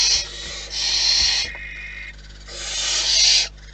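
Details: Two long, rough hisses from wild barn owls at the nest, spaced by a quieter stretch of softer wheezing and a low background hum.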